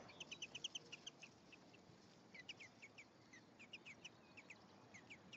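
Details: European greenfinch male and female interacting at the nest, recorded 1 May 2015: rapid series of short high chirping notes, several per second, in bursts with brief pauses, over a steady soft background hiss.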